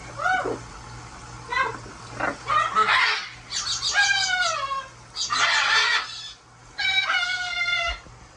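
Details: Huge blue pet parrot bathing in a sink, giving loud harsh squawks with strong harmonics, some rising then falling, in four or five bursts over eight seconds, with a steady low electrical hum underneath.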